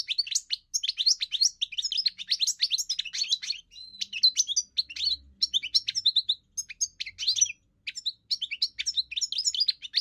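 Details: European goldfinch singing a fast, continuous twittering song of high liquid chirps and short buzzy notes, with brief pauses near the middle and just before eight seconds.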